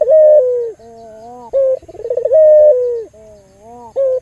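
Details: Albino local Barbary dove recorded as a lure to get other doves calling; loud long coos alternate with quieter level notes, a short rising note and a quick rolling purr between them.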